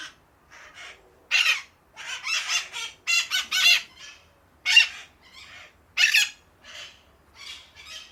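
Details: A group of parakeets in an outdoor cage chatters with harsh, screechy squawks in overlapping bursts, several birds calling at once every second or so.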